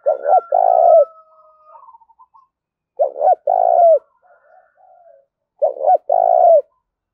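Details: Decoy spotted dove cooing to challenge rivals: three phrases about two and a half seconds apart, each a short double note and a long rolling coo, with quiet murmuring notes in the gaps.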